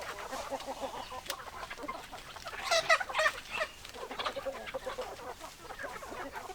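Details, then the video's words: Many chickens clucking together, steady short clucks with a louder burst of harmonic squawking calls near the middle, then continued murmuring chatter. "Chicken Sounds Noises Hens Clucking Roosters Crowing"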